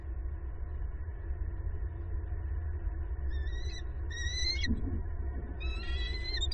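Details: Bald eagle at its nest in southwest Florida on 26 December 2021 while an egg is pipping and hatching; three bouts of high, thin, upslurred whistled notes with harmonics over a steady low rumble of background noise.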